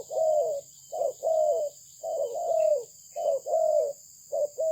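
A spotted dove gives soft, low, mellow coos in short two- and three-note phrases about once a second, over a steady high-pitched electrical hiss.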